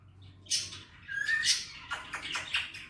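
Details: Male Indian ringneck parrot, a pet talking bird, imitating speech such as "Mithu bete" in Hindi/Urdu: a rising whistled glide followed by several harsh, rapid squawky syllables.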